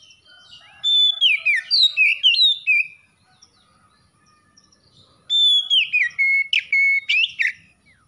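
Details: Oriental magpie-robin (kacer) song: two bursts of clear whistled phrases, sliding and stepping notes between high and mid pitch, each burst about two seconds long, separated by a quiet gap, with no other sounds.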